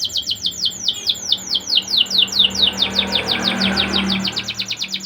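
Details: Canary in full song, used as a lure to raise breeding drive in young canaries: a fast run of high, downward-sweeping whistled notes repeated rapidly, with a low steady hum underneath.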